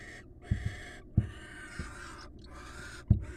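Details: Barn owl pair bonding in the wild: drawn-out wheezy hisses interrupted by short pauses, accompanied by loud knocks and scuffling thumps, low hum throughout.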